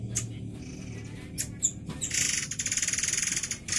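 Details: White-rumped shama (Copsychus malabaricus), song.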